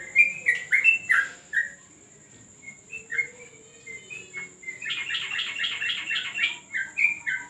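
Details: Yellow-vented bulbul during a training session on a terrace: bubbly, warbled phrases of short slurred notes, then a fast, evenly repeated run of bright notes. A steady high whine runs throughout.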